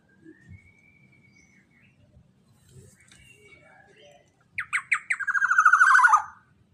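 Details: Lure call of a black-naped oriole: after quiet thin whistles and faint background murmur, three clipped rising notes lead into a loud, rasping, nasal buzz that descends and fades out.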